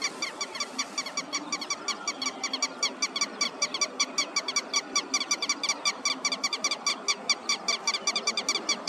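Red-wattled lapwing giving loud, sharp, metallic notes in quick, uneven bursts, several per second, with a faint room hum underneath.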